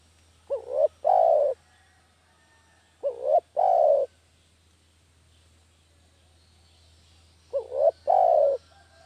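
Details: Spotted dove cooing, used to lure doves into traps: three phrases of a short rising tremulous note plus a held, gently descending coo, with uneven gaps of about three and four seconds.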